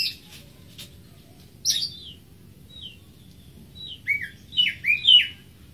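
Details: Greater green leafbird, a bird of moist lowland forest, sings scattered high whistles and thin notes, then a lively closing run of loud downslurred chirps and rich warbles.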